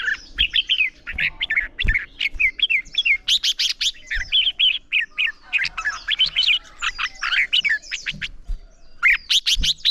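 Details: Red-whiskered bulbul singing its heated contest song at dawn to train a young bird: dense, overlapping chirpy whistled notes in fast continuous bursts, crisp clicks mixed in, a few soft knocks underneath.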